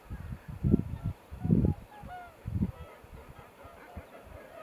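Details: Cormorants in a breeding colony at the start of the nesting season give deep, rough grunting croaks in short bursts about every second, with fainter thin whistles from other birds above.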